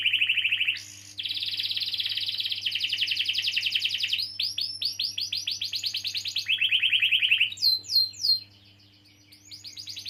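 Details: Canary in long rolling song, played to stimulate young or silent canaries to sing: dense trilled rolls around mid-high pitch, then rapid repeated sweeping notes and a lower buzzy roll, ending with bright upslurred chips; steady low hum beneath.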